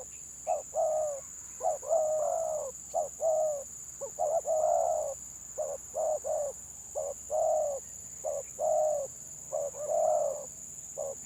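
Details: Spotted dove, a village bird, singing in the stuttering 'gagap' style: low hoarse coos in broken groups of two or three, about forty-five notes a minute, with short gaps between phrases. A steady high electrical whine runs throughout.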